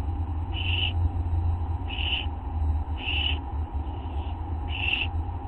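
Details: Barn owlets begging while being fed at a nest at dawn: four loud hissing screeches, about half a second each and spaced about one second apart, with a fainter one between them, over a constant low mechanical hum.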